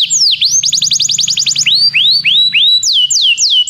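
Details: Belgian canary in song meant to spur other canaries to sing: a dip-and-rise note, a rapid even trill of short upward chirps, then slower looping rising whistles and high down-slurred notes, with a soft low hum behind.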